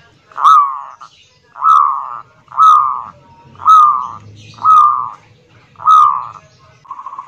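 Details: Loud local zebra dove delivering kerot nguwor song that draws other doves to answer: six evenly spaced, slightly rising, rounded coo phrases roughly one second apart, with a faint low rumble in the background.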